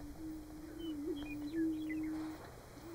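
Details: Booming chorus of greater prairie-chickens at a lek in Nebraska in March during courtship display: a low, droning, hollow hum, with a brief wavering swell near the middle and faint thin whistles from another bird.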